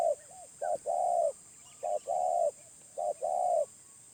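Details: Wild spotted dove of medium voice type gives three clear phrases, each a quick short coo and then a longer, level coo, spaced about a second apart over a quiet background.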